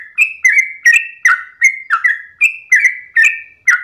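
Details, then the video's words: Sooty-headed bulbul early in the morning, long 'ropel' song: crisp whistled chirps with a short downward slur, repeated steadily at about two and a half per second, nothing else audible. "ROPELAN TRUCUKAN Terbaik subuh pagi hari"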